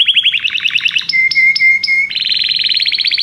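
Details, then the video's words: Belgian canary song in quick succession: a rapid bubbling trill, a sustained level whistled tone broken into three segments, then a fast high rattling trill. "canário belga cantando"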